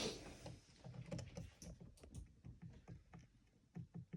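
A racing pigeon makes irregular dull thumps and sharp clicking taps with its feet and beak, several per second, over a soft background rustle.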